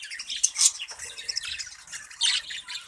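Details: Budgerigars in a breeding colony: dense, overlapping high squawks and scratchy warbles from several birds, with louder harsh bursts near the start and again toward the end.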